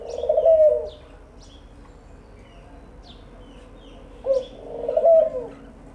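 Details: A dove coos twice, deep and hollow, each phrase a clipped note then a longer rounded hoot. Light high-pitched chirping from small birds sounds between the phrases.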